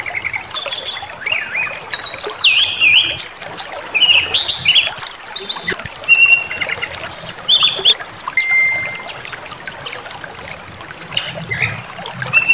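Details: Brown-chested jungle flycatcher song used as a lure to provoke rival birds into anger and full repertoire; a long run of varied clear whistles, rapid high stuttering trills and sliding notes, delivered in quick bursts with short pauses.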